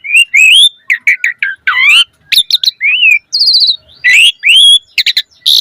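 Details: Asian pied starling, vigorous 'full isian' singing to make other starlings respond: warbled rising whistles, choppy chirps, a high metallic trill and rasping squawks in a dense, varied stream.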